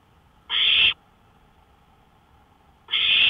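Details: Owl heard from a porch at 1:53 AM on 5 May 2013. Two rasping, hiss-like screeches of roughly half a second each, separated by about two seconds of quiet.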